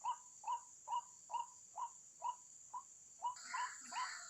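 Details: Bird-trapping lure of a white-breasted waterhen, evenly spaced hollow notes about twice a second, then a burst of harsher, mixed noise over the last second.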